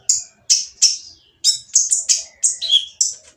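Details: Noisy oriental magpie-robin song intended to goad quiet birds into singing: rapid, scratchy high notes in quick succession, with some harsh rasping phrases and brief whistled slurs.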